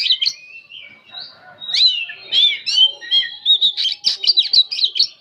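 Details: Old oriental magpie-robin singing without pause in nyerecet chattering style: high whistled and scratchy notes, short slurred phrases building into fast rattling bursts near the end.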